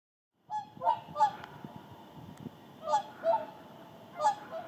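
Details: Whooper swans, a flock landing in the Indalsälven delta to rest and preen before heading further south; loud bugling honks in pairs and threes, some overlapping, spaced about a second or more apart over a low steady rumble.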